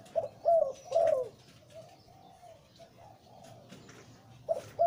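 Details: Breeding male zebra dove with a deep voice, Lui Tan song style, giving loud rolling low coos in quick bursts at the start and again at the end, with softer quavering coos between and faint background noise.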